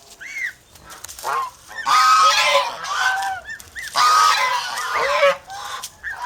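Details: Overprotective domestic geese, Philippine farm poultry, trade short rising honks with two long harsh blaring bursts, separated by quieter gaps.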